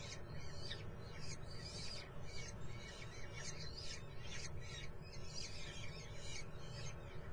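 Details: Common kestrel chicks in the nest, Muttenz, keep up shrill, rasping squeals in clustered bursts about every half second, with heavy low-frequency rumble underneath.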